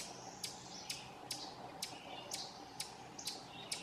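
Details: Scolding call of an Ovenbird at Silvio O. Conte National Fish and Wildlife Refuge, Vermont, June 18, 2016: quick series of bright, clipped chips, about eight in under four seconds, slightly uneven in rhythm.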